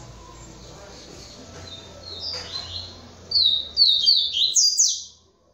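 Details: Captive double-collared seedeater singing in the Polish style: after quiet, faint twittering, a loud sequence of sharp, high whistles with quick slides, each note distinct, ending abruptly.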